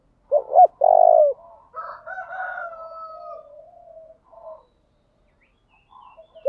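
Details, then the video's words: Spotted dove used as a decoy, continuously changing its cooing pattern to make wild doves respond: two short punchy notes and a long loud coo, followed by softer, wavering, lower cooing and a fading, thin whistled tone. "Tiếng chim cu gáy thúc bảo đảm bổi nghe gáy liền, chim cu gáy mồi đảo bài liên tục"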